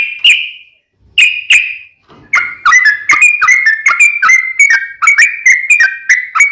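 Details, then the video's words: Sooty-headed bulbul with a long-trilling fighting song to draw an answer from another bird. Two or three clipped notes open, followed by a rapid, continuous run of fluty rising and falling whistles. "KICAU SUARA trucukan gacor TARUNG ROPEL PANJANG"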